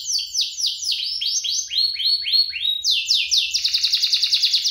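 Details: Canary singing, played to encourage young canaries to sing; a run of repeated falling swept notes, roughly three or four per second, ending in a faster, buzzier trill.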